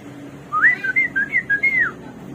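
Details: Samyong or garuwa (hwamei), the bird of 1001 voices, in song: a short series of clear, slurred whistles, each rising and falling, delivered in quick succession over a soft background hum.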